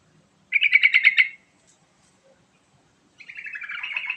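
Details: Lure song of a yellow-vented bulbul meant to make other birds sing: a rapid burst of about eight crisp chattering notes, then a quieter, more drawn-out warbling phrase descending slightly.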